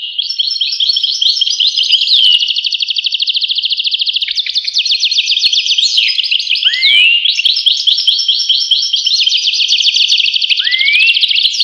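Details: Extended European goldfinch song, a rich, fast tinkling twitter with buzzy trills and several sweeping slurred notes, continuous for the whole passage.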